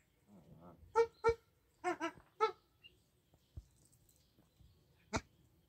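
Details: Bar-headed geese kept on a farm: several quiet, nasal honks, some paired in quick succession, rich in harmonics, scattered over a few seconds with soft clicks and near silence between.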